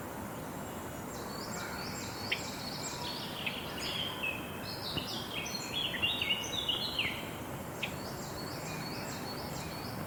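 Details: Several quick, high chirping notes from Java sparrows, repeated in irregular bursts across the clip with a denser patch in the middle, over steady hiss.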